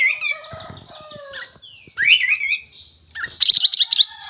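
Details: Sooty-headed bulbul in lively song: soft gliding whistles lead into a louder swooping warble, then a fast rattle of sharp high notes closes the passage.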